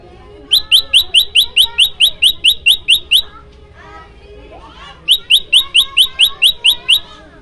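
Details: Varied prenjak lumut song, a prinia voice used to coax caged ciang ciang birds to sing. Two bursts of rapid identical high chirps are split by a pause filled with softer warbling from other birds.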